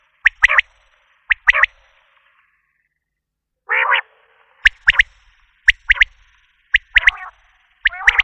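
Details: Repeated three-note phrases from a Common quail, crisp and rapid like 'pik, pik-pik', broken by a pause and one rough nasal burst.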